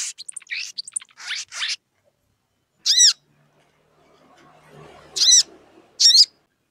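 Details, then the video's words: Sogon singing in lively form, calling a rival to provoke another sogon into singing: a quick run of sharp high chirps, then short loud ringing notes that dip and fall, spaced about two seconds apart, with soft rustling between. "SOGON GACOR MEMANGGIL LAWAN, UNTUK PANCINGAN SOGON AGAR BUNYI"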